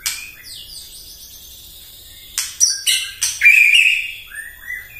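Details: White-rumped shama song used in the morning to provoke rival birds: faint high twittering at first, then loud sharp notes and a long rich whistled phrase that falls away at the end.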